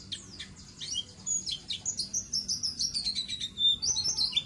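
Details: White-eye (pleci) tutor song for untrained birds: a few scattered high chips, then a brisk run of evenly pulsed, high twittering notes sliding slightly downward, with a clear whistle near the end.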